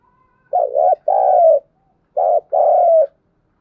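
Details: Spotted dove cooing at daybreak in the thúc gù and calling styles, repeating its low two-note phrase twice, a short wobble then a sustained tone, about a second and a half apart.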